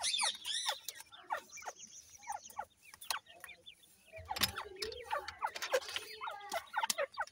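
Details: Fighting grey francolin chicks give dense bursts of thin, high chirps and short falling peeps, with sharp taps and scuffles between them.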